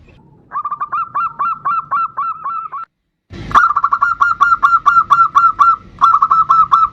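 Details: Bodronoyo-type zebra dove singing actively as a lure recording for other birds: two runs of quick, clipped mid-pitched coos separated by a sudden silent cut, the second run longer and briefly interrupted.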